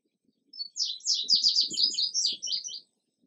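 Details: Rapid, high, clear whistled notes from a male indigo bunting, many in pairs, form a two-second song, with faint low rustling underneath.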